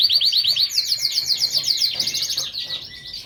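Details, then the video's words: Lancashire canary song of fast, evenly repeated bright chirps forming a rolling trill, fading to softer notes and a thin held whistle near the end. "كناري لانك شاير ، lancashire Canary"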